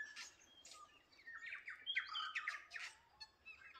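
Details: Birds at Waikawa pour out quick, harsh chirps and fluty whistles, several rapid notes each second, reaching a loud cluster of bright phrases near the middle before easing off.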